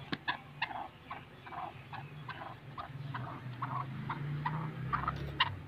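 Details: Black francolin calling: a rapid series of short, harsh, grating notes with stacked harmonics, several bursts each second, over a steady low rumbling hum.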